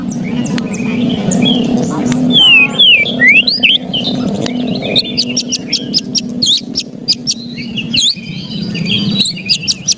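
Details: White-rumped shama in an agitated ketrekan: a few slurred whistles early, then a string of harsh dry rattle bursts toward the end, partly masked by a constant low rumbling background.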